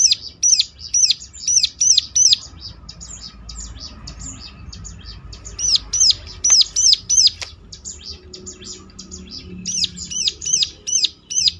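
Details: Ciblek lure song to trigger other ciblek to respond: bursts of shrill, quickly repeated hooked notes separated by softer chattering, with a low background hum and a couple of clicks.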